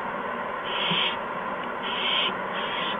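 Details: Owls at a nest with owlets, adults bringing a mouse and a gopher on a March 2015 evening around 8 PM; two long, harsh hissing bursts about a second apart over steady broadband background hiss.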